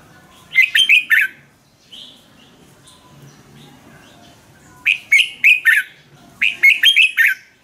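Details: Red-whiskered bulbul song played to excite caged birds or for training, from Thailand: short bursts of four or five quick, bright warbled notes, with the phrases separated by pauses of a few seconds.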